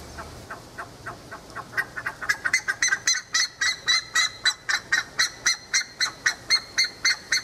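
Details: Buff-necked ibis (curicaca) in pasture at Tupi Paulista, São Paulo, Brazil: loud, harsh, honking notes repeated rapidly, about four per second, building in strength into a steady metallic series.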